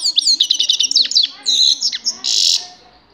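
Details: Lively grey-crowned goldfinch song: rapid downslurred chips and liquid twitters, ending in a harsh buzzy note.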